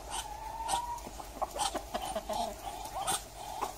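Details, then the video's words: A Muscovy duck gives a soft, steady murmuring tone with quick breathy puffs and clicks scattered through it. "Duck sound (صدای انواع اردک)"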